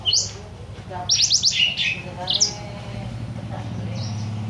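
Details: Imported small Blackthroat singing nonstop as a master song for tutoring other birds: quick bursts of high, sharply rising and falling twittered notes in the opening seconds, then a fainter note, over a low steady hum.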